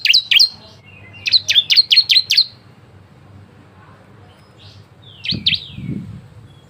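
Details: Bar-winged prinia song used as a lure: two chirps, then a rapid run of six sharp slurred notes, a lull, and a few softer chirps accompanied by a dull low thump.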